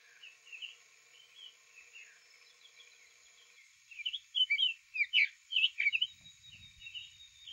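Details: Male Summer Tanager, just back from migration in north Florida, singing quietly in April with another tanager nearby; faint slurred notes first, then a louder run of rich, burry, robin-like phrases.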